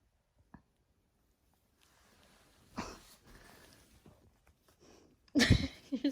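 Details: Pet blue-and-yellow macaw fake coughing indoors while trying to get at the vacuum: two harsh, breathy, cough-like bursts about two and a half seconds apart, the second louder, with faint room noise and small knocks between.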